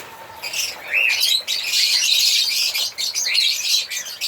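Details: African lovebirds singing and chirping: dense, harsh, high chattering with rapid overlapping chirps and short whistled squeaks, in continuous bursts with brief pauses.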